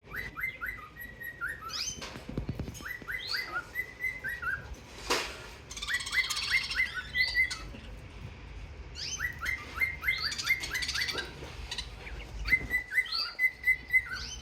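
Budgerigars chatter with quick chirps, rising whistles and short warbled phrases.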